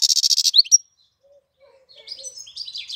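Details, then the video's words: Goldfinch song in April, opening with a rapid buzzy trill of repeated notes and a sharp upslurred whistle, followed by silence and then soft jumbled high twittering. "Cântec sticlele luna aprilie"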